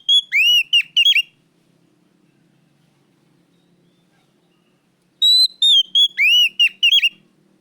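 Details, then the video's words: Loud oriental magpie-robin lure song for caged birds: two phrases of looping, swooping whistles that dip and rise, with sharp clicks between notes and a quiet gap of several seconds separating them. "pancingan Kacer gacor suara keras plong"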